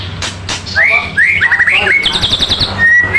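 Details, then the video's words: Magpie robin singing vigorously: bright whistled notes near one pitch, some slurred upward, then a rapid run of high trilled notes and a final long whistle, with a man talking in the background. "Suara Burung Murai gacor"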